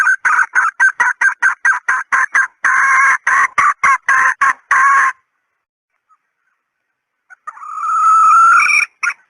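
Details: Female red junglefowl call used to lure: a rapid run of about twenty short, harsh, evenly spaced clucks lasting five seconds, a pause, then one long rising nasal note with a brief clipped ending.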